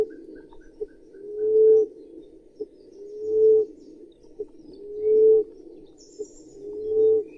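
A common emerald dove gives four soft, low moaning coos, each rising slightly and swelling, repeated about every two seconds over a faint steady background hiss.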